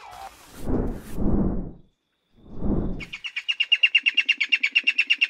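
Okinawa Rail giving a fast run of loud, harsh, even notes, about four a second. A person speaks just before the calling starts.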